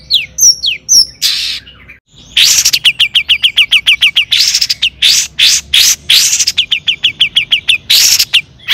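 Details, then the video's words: Long-tailed shrike in captivity, its song used to spur rival shrikes to sing: a few slurred whistles, then rapid repeated harsh chattering bursts with buzzy rasping phrases, several notes per second. "cendet gacor AMPUH TOET TOET PANCINGAN CENDET AGAR BUNYI"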